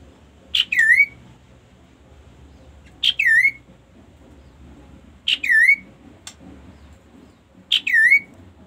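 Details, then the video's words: Kaso-kaso bird singing: a short sharp note followed by a slurred, downward-then-upward whistle, the phrase repeated four times at roughly two-and-a-half-second intervals with quiet background between. "melihat kegacoran burung kaso kaso"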